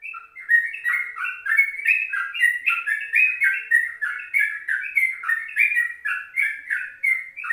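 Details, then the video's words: Yellow-vented bulbul recorded in the morning at 04:30, used as a lure and tutor song in the rapid ropelan style: a dense, continuous stream of bubbly, warbling notes jumping up and down, repeated rapidly without pause. "Pancingan 04.30 Trucukan Rekaman Pagi"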